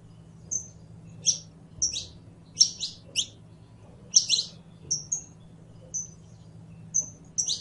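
A saffron finch sings high, sharp chirps and short whistled notes, delivered in bursts about every half second to second, over a faint low hum.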